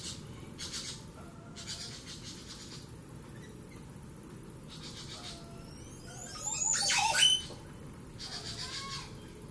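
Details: At Poás, Alajuela, Costa Rica, a Montezuma oropendola gives a call, one loud, gurgling, liquid burst lasting under a second, over a steady pulsing insect chorus and a few soft calls from other birds.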